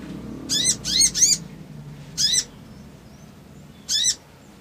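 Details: Crimson sunbird provoking song: a quick burst of three harsh, slurred chips, then two single notes spaced well over a second apart.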